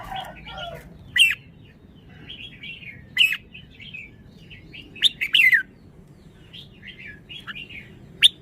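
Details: Red-whiskered bulbul song made of scattered short, sharp whistled notes and chattering phrases, repeated every second or two over about eight seconds against a faint steady background hiss.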